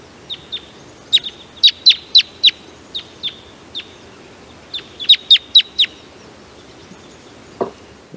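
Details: Red Crossbill, type 2, feeding in a forest patch on lodgepole pine alongside a type 4 bird: flight calls of sharp, high, down-slurred kip notes in two quick bursts of several each, over faint hiss and a couple of clicks.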